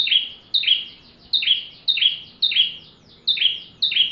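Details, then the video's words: Song of a bar-winged prinia, used as tutor material for white-rumped shamas: a steady series of ringing double notes, each with a thin high lead-in and a stronger falling note, roughly two per second. "Burung ciblek tamu fulll gacor cocok untuk masteran murai batu"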